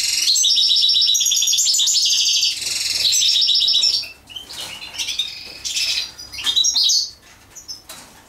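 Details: Goldfinch mating sequence: a loud, fast jingling twitter for about four seconds, then quieter scattered chirps and rustles with a few sharp notes.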